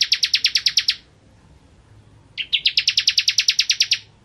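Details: Vigorous bar-winged prinia (ciblek kristal) song from a master tutoring recording: a short rapid burst of high chips, a pause over a second long, then a few rising lead-in notes and a longer fast, even trill.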